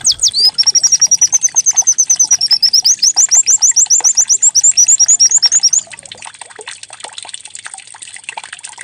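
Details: Canary-like white-eye song played as a decoy so other white-eyes begin singing: a long, level trill of rapid high notes breaks into quick upswept chirps, then fades into a soft trickling background.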